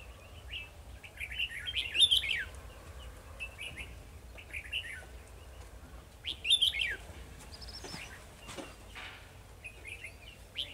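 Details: Fighting song of a red-whiskered bulbul used as a trapping decoy in Vietnam: loud clusters of bright, slurred whistled notes at intervals, a few fainter chirps between, low rumbling background noise.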